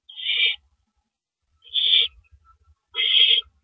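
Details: At an owl nest at night on April 6, 2012, the male arrives with a rabbit. Three harsh, rasping screeches are spaced more than a second apart, with faint shuffling noise between them.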